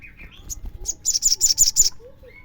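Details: Crimson sunbird used as a lure to make other sunbirds sing: a few soft chirps, then a short burst of six rapid, high, buzzy notes lasting under a second.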